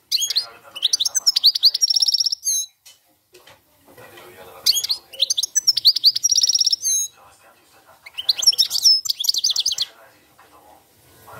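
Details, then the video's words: European goldfinch performing cante campero song in three long bursts separated by short pauses. Each burst is a quick, high, tinkling twitter that runs into rapid trilled notes, then stops abruptly. "jilguero cante campero"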